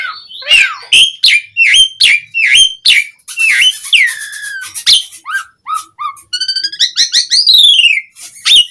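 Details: Lively full song of an Asian pied starling, used as a lure so other starlings answer quickly. A fast, varied stream of sharp whistles, downslurred squeals and short chips follows with barely a pause.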